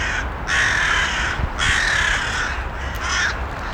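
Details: Three harsh crow caws: two long, drawn-out, hoarse calls, then a shorter one, set against a continuous low rumble and hiss.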